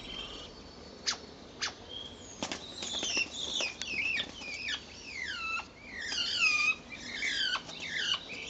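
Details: A pair of common starlings on April 10th 2011, either mating or fighting, fill the air with busy chatter: clicks, rattles, swooping whistles and squeaky chirps tumbling over one another, growing denser toward the end.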